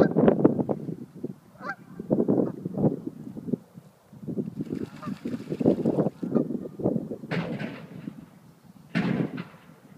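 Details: Several geese defend their territory against a dog with loud, harsh honks that overlap almost without pause, mixed with hissing and some noisy thumps.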